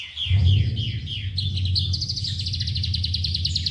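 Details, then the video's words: Song of an Oriental skylark: a few looping whistled notes that lead into a fast buzzy trill, with a low rumble underneath. "BURUNG SANMA ORIENTAL SKY LARK ISTIMEWA"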